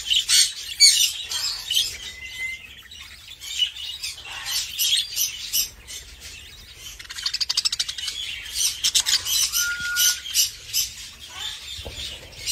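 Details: Baby budgerigar being fed by its parent, giving scratchy chirps and rasping squeaks, with a rapid buzzy run of pulses in the middle and two brief pure whistles, one early and one late.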